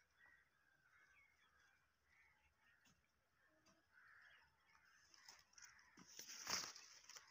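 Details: Pakistani parrot speaking Urdu, giving a run of soft, raspy, speech-like syllables that build toward one loud, harsh, screechy burst just before the end.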